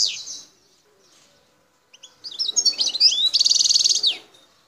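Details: Wild Algerian European goldfinch singing in the Bouthelja sector of El Tarf, Algeria: a brief high twitter, a pause, then a fast run of tinkling notes ending in a dense buzzy metallic trill, clear against a quiet background.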